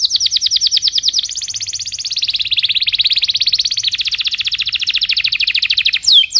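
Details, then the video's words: Belgian canary singing in the morning, used as a lure to teach young canaries to sing: fast rolling trills of high, sharp notes, each run holding a steady pitch before shifting to a new roll, ending in a brief upward sweep. "Kenari gacor Cuit cuit NGEROL di pagi hari, Ampuh untuk Pancingan kenari paud belajar Bunyi"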